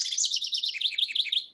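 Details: House wren (Troglodytes aedon) gives a harsh, buzzy call: a rapid scratchy chatter of about ten high notes per second, fading at the end. These are just-arrived, very noisy birds in their non-breeding range in Florida in November.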